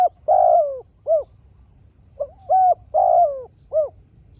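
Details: Spotted dove exchanging calls with a wild rival bird, each taking a turn. Two clear phrases of low mellow cooing, a long falling middle note framed by shorter coos, over quiet background.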